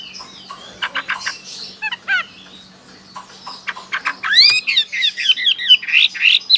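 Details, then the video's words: Chinese hwamei in Sokaraja, Banyumas, Central Java, Indonesia, singing loudly: clipped rapid notes, then high upswept whistles and a dense, fast run of varied slurred and warbled phrases, high-pitched and clear against a quiet background. "Suara burung whamei"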